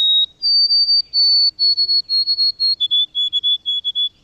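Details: White-throated Sparrow song: clear high whistles, a short note then longer held ones, followed by quick repeated three-note phrases heard as "Canada, Canada, Canada", in a quiet setting.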